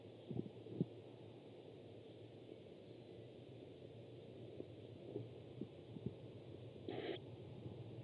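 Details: Steady low hum with soft, irregular thumps and a short broadband burst near the end, with no animal voice heard.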